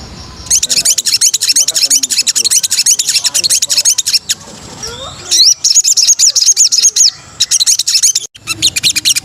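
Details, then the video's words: White-rumped shama song as training material: dense, fast, scratchy chattering of high notes in long bursts broken by short gaps, varied and energetic throughout. "MATERI BARU BURUNG MURAI dijamin nembak pedas"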